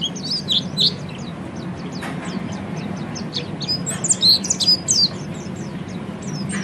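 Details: Oriental white-eye in ngeriwik song for training cage birds: scattered high thin chirps, softer at first, then a louder cluster of sharp twittering notes near the end, over a steady low hum.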